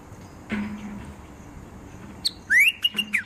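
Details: Bulbul with a quick phrase of bright whistled notes, each sliding upward, separated by crisp ticks, following a faint low sound and a short high note.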